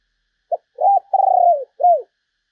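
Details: Lure call of a spotted dove, meant to draw in other doves: a clipped first note, a rounded coo, a long buzzing coo that sinks, then a final arched falling note.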